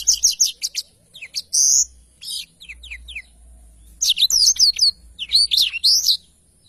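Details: Black-throated canary giving scattered bursts of high chirping and trilled notes, then a rapid run of swooping whistles.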